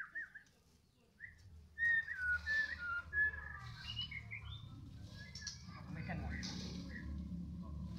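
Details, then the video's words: White-rumped shama of the Medan type, heard in the afternoon: bright whistled phrases and quick slurred notes arrive in short bursts after a quiet start, over a steady low hum. "Lagi pantau mb MEDAN,, di sore hari,,"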